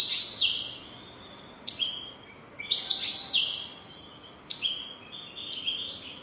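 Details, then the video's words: A European goldfinch sings a golden-throat style song meant for teaching young birds: an opening buzzy twittering burst followed by shorter chirped phrases and trills at irregular intervals, clear and high-pitched. "تغريد رهيب طائر الحسون حنجورة دهبية لتعليم طيور الحسون"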